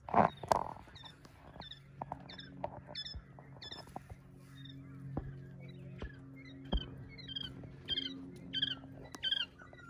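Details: Two-week-old quail chicks playing in Australia give thin, high peeps, some rising and falling, in scattered bursts from several birds over a steady low hum.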